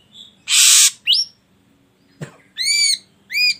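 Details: Ashy drongo song used to draw other birds into singing: a harsh rasp, a rising whistled slur, a click, then two ringing arched harmonic notes.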